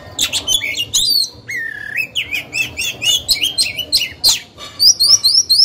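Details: Oriental magpie-robin used as a lure bird to make rivals sing back: rapid mix of whistles, smooth upslurred notes and chattering bits, ending in a run of repeated high rising whistles.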